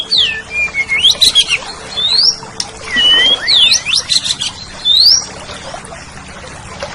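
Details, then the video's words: Oriental magpie-robin in full song on a tutor recording for kept songbirds: dense, varied phrases of rising whistles, buzzy trills and scratchy notes, in rapid bursts with brief pauses. "Suara Burung Kacer"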